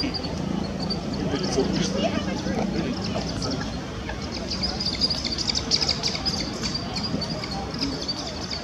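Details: Two moorhen chicks clamour for food from an adult that loses patience and shoos them away, giving thin, high peeping begging calls repeated rapidly, over a steady low murmur like voices or background rumble.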